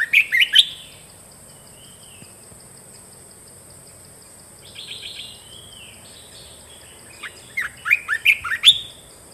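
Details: Red-whiskered bulbul kept as a cage bird, delivering new song phrases: a loud opening cluster of sharp warbled notes, soft whistles in between, then a fast series of about six bright chirps near the end.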